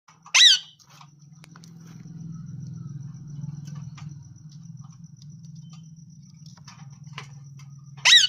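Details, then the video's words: A parrot gives two sharp, harsh screeches about eight seconds apart, with a low steady hum filling the quiet gap between them. "Real Parrot Voice"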